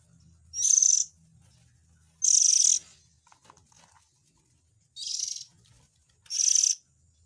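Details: Oriental magpie-robin chick calls, used as a lure to draw in parent birds: four harsh, hissing, buzzy bursts of about half a second each, arriving in two spaced pairs, with a faint low rumble between them.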